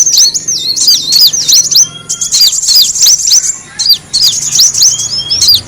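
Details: Lure sound of Van Hasselt's sunbird, known locally as kolibri wulung, for attracting birds: dense streams of high, twittering notes with sharp downward flicks, nearly continuous, with short breaks.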